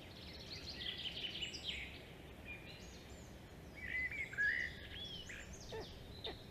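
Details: Black stork chick at the nest in dialogue with its mother, 25 May 2022 at 3:54 PM: thin high squeaky whistles and rising chirps in scattered groups, over a steady hiss of wind and background noise.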